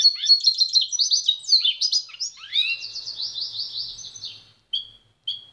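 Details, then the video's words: A pintagol's busy warbled song of chirps and swoops flows into an even, repeated trill, followed by two short separate whistled notes. "PINTAGOL EM CANTO"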